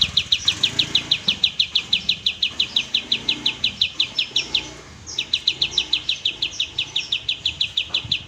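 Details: Oriental white-eye in tembak style, a training master for caged birds: steady stream of bright high chirps about three a second, a brief pause, then continued rapid repetition.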